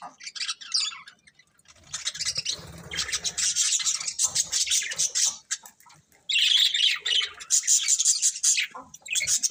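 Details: Colourful budgerigar breeding pair chirping in dense, scratchy high chatter, with a quiet gap before a loud final burst of warbled squawks; faint low rubbing noise early on.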